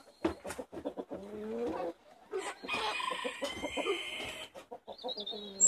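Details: Chickens, 70 of them let out for the day in Longford, Ireland, on Thursday 25 February 2016: steady low clucking from many birds, overlaid by a loud, drawn-out rooster crow of about two seconds.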